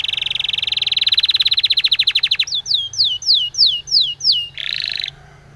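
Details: Spanish timbrado canary singing a training song for canaries: a rapid rolling trill of short bright notes, then slower slurred whistles, ending in a harsh buzzy burst.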